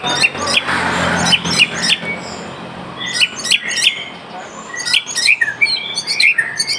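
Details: White-rumped shama (murai aceh) singing energetically: clear whistled notes around mid-high pitch, some sharp upslurred phrases, repeated quickly in bursts over a low background hiss.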